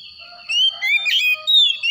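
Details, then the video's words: A brief morning phrase from an Oriental magpie-robin: a soft whistle, then a loud rising slur and clear sweet notes in quick succession. "PANGGILAN KACER PAGI HARI"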